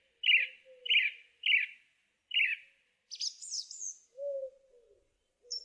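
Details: A short rough chirped phrase is repeated four times by a song thrush, followed by a high scratchy twitter and a lower whistled slur, with a faint background hum.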